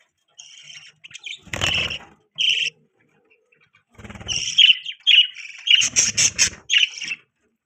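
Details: Pet budgerigar chirping and chattering in bursts: scattered short chirps early, then a rapid run of scratchy, warbled notes near the end, with some broadband flutter-like noise.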